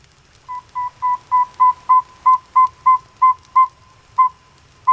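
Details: Northern saw-whet owl (Aegolius acadicus) recorded in the wild gives its tooting call, a steady run of clear, mellow whistled toots, about three a second, on one unchanging pitch over a faint low hum.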